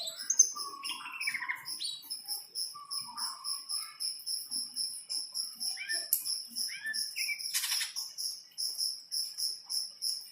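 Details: Greater green leafbird, in breeding condition after a rain bath, gives scattered slurred whistles and sharp swooping notes, with one harsh burst near the end. A steady, high pulsing buzz runs throughout the whole recording.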